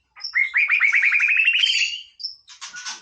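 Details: White-rumped shama singing: a rapid run of about fifteen short rising whistled notes that climb gradually in pitch, followed by a brief thin whistle and a burst of buzzy, scratchy notes.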